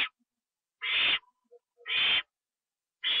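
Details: Owl on a live cam at 1:52 AM, 25 September 2011, as a treat is given and eaten inside: three loud, harsh hissing screeches about a second apart, with faint short squeaks in the pauses.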